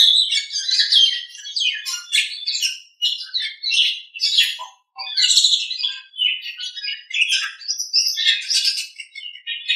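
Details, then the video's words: Nias hill myna in training-recording song: busy, jumbled phrases of sharp whistles, rasping notes and chirps follow one another almost without break, with brief dips in volume between bursts. "Masteran Suara Jalak Nias"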